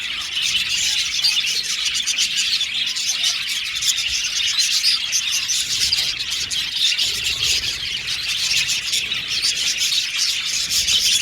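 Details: Colony of budgerigars kept in an aviary, continuous bright twittering and grating chatter from many birds, holding a steady level across the whole stretch.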